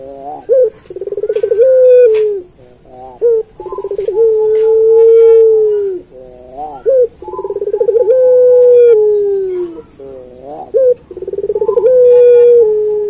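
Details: Puter pelung dove song used as a training model for other pelung doves, its phrases recurring about every four seconds: short note, pulsed trill, long sustained low coo, with scattered faint clicks and taps.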